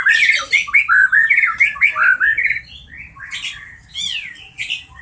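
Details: Medan white-rumped shama in a therapy recording for shamas that are singing or off form: a rapid string of bright, rising whistled notes, then after a short pause several loud sweeping phrases and harsh chatters.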